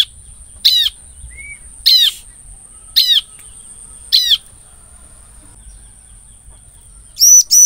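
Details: Lure recording of a bar-winged prinia used to attract the same species: four sharp downward-sweeping notes about a second apart, then a fast pair at the end, over a thin continuous electronic tone.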